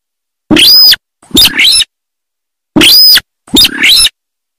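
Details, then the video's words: Sintar of the paddies calling in harsh, buzzy paired bursts, each pair made of a screechy note with a whistled edge followed by a rougher grating note. "Suara Asli Burung Sintar Sawah"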